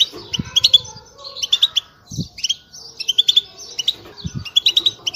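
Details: European goldfinch twittering song aimed at motivating caged goldfinches: repeated groups of high, sparkling chirps and fast twitters in short phrases, with soft low knocks heard between some phrases.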